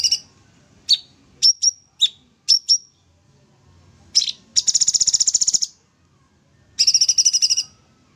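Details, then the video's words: Tutor song of a sooty-headed bulbul singing energetically: sharp high chirps in pairs, then two long rapid rattling trills of many even pulses separated by a pause. "Cucak Cungkok full tembak gacor, Masteran mewah"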